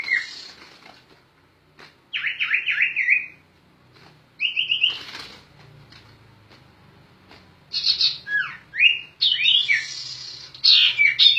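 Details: Energetic gacor ngerol singing by a sirtu bird, kept as a master song for training songbirds: high piercing notes, quick downward-slurred whistle runs, short gaps, then dense overlapping chirps, with a faint low hum beneath.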